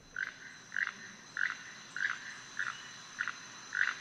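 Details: Keel-billed Toucan, usually heard before it is seen, giving a frog-like croaking call: short dry croaks repeated steadily about every 0.6 seconds, seven in a row, with a faint background hiss.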